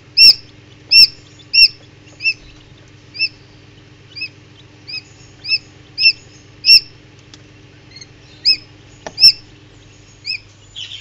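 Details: Common Quail chicks hatching in an incubator, some emerging early; thin high double peeps repeated irregularly about once a second, over a steady low incubator hum with a few soft taps.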